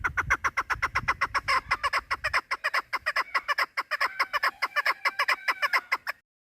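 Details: Female chukar partridge lure call for hunting: an insistent, fast series of clucking chuk notes with some rasping, drawn-out notes midway, and low rumbling noise early on, stopping near the end.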